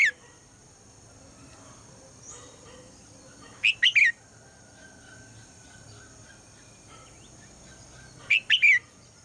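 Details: Morning calls of a female red-whiskered bulbul, meant to prompt the male to sing loudly: brief clear three-note whistles heard twice, about five seconds apart, over faint steady background noise.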